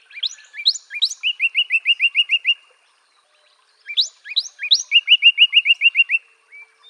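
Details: Two phrases of Northern Cardinal song separated by a silent gap, each opening with rising whistled sweeps and ending in a brisk string of repeated chipping slurs.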